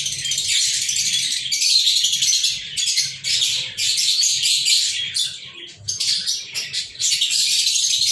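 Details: Pet lovebirds recorded on 14 February 2023 keep up an insistent shrill chattering of sharp chirps and squeaks, coming in overlapping bursts of a second or two.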